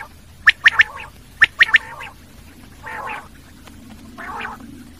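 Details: Common quail: two sharp three-note phrases followed by soft, low, raspy growling notes, with a steady faint hum underneath.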